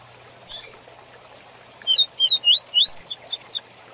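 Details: Fast 'Tui Tui Zel Zel' teaching song of the double-collared seedeater: a soft hiss, then a lively sequence of about eight rising whistled slurs, stepping up in pitch to thin, sharp final notes, over a faint low hum.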